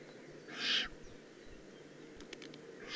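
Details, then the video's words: Juvenile Eurasian eagle-owl in the Eifel, recorded 18 June 2016, giving a single harsh, hissing burst lasting under half a second against a quiet, steady background. "Eifel Uhu Junior3"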